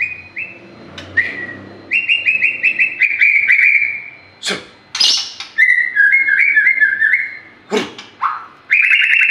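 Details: White-rumped shama, a lure song used to prompt other birds to sing: clear whistled notes and rapid repeated chips in varied phrases, broken by a few loud clicks or knocks.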